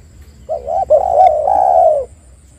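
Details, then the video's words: One phrase from a spotted dove used to lure other doves into calling: a short hooked coo, then a long, hoarse, level coo lasting over a second. "PANCINGAN TEKUKUR AGAR BUNYI"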